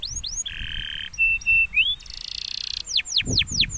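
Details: Canary song, a champion bird: fast buzzy trills and steady whistled tones, then a run of rapid rising sweeps, with some low rumbling noise near the end.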